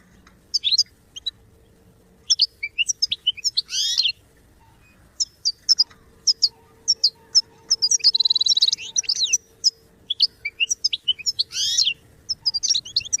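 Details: Goldfinch singing for song training, in broken bursts: short sharp tweets and quick twitters spread through the passage, with two denser, buzzier twittering runs and a faint steady hum beneath.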